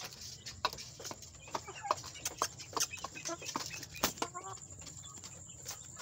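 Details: Several chicks in a group, described as fighting, giving short scattered peeps and chirps among clicks and scuffling, with a steady high background hum.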